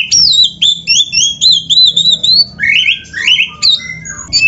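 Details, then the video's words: White-rumped shama in lively full song, kept as a master bird to stimulate others: a fast run of looping high whistles, then lower rising slurs and scattered notes, phrases repeating roughly twice a second. "SUARA BURUNG KACER GACOR ISIAN‼️Masteran Kacer Gacor ini Cocok Buat Pancingan - AGAR CEPAT GACOR"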